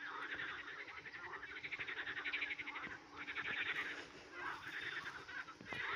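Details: A flock of Eurasian coots chattering in bursts of rapid, harsh, clipped notes that rise and fade every second or so, over a faint steady low hum.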